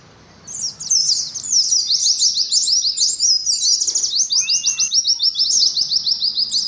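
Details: Oriental white-eye (pleci) 'ngalas' competition song, played to a colony of at least five caged birds: a fast, dense stream of high, thin chirps and twittering trills, with a brief lower whistle near the middle.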